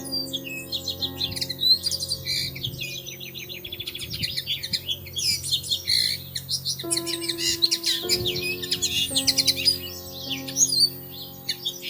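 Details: Bushtits tending their nest in a plum tree in early May; almost continuous high, scratchy chatter and twittering from several small birds, with a steady musical backing that shifts pitch partway through.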